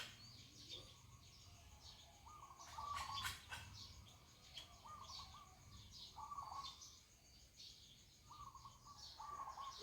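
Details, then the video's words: Red-whiskered bulbul singing on a cold, foggy morning in Ko Kha, Lampang, Thailand. Short, bright whistled phrases repeat every couple of seconds among other chirping birds, with faint rural background noise. "เสียงนกกรงหัวจุกค่ะเสียงเพราะนะคะเพื่อนๆ"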